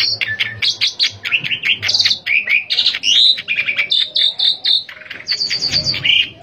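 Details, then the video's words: Asian pied starling singing vigorously, meant as a lure recording to get captive starlings singing; dense run of varied whistled and chattering notes, rapid and unbroken, over a faint low hum. "jalak suren gacor buat pancingan jalak suren agar cepat gacor| suara burung."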